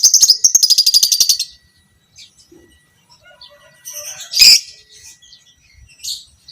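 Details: Fighter lovebird, biola pb creamino type, giving a ngekek (long chattering) burst: a fast, even run of high, squeaky notes for about a second and a half, then a pause and a few isolated sharp chirps.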